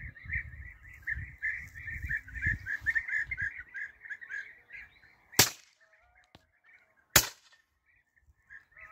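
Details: Bee-eaters (European) calling as a group while being hunted: dense, rolling burry notes chatter nonstop for about five seconds, then fade to scattered single calls, broken by two loud, sharp gunshots about two seconds apart.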